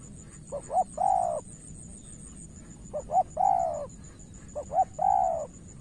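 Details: Spotted dove in Cà Mau, Vietnam, in a contest between a decoy bird and an experienced rival: three phrases about two seconds apart, each two quick short coos then a longer drawn-out coo, over a steady faint high whine.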